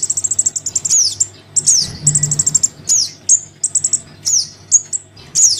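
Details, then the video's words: Young Crimson sunbird calling to its parent, used as a lure: rapid runs of high, thin chips alternate with sharp downward-sweeping squeaks, delivered in quick bursts, over a low background hum. "Suara pikat [anakan sogon memanggil induknya]"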